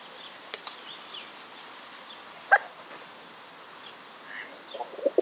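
A hooded crow fledgling gives one sharp, abrupt hiccup midway, then two softer low hics near the end, with faint clicks and quiet background between.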